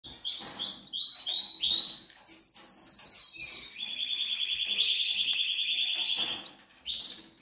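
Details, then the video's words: Hungry goldfinch nestlings in the Canary Islands begging for food: high, thin, insistent calls in a continuous chorus, with long sustained notes and short sliding chirps, mixed with brief bursts of rustling. "LOS PICHONES TIENEN HAMBRE"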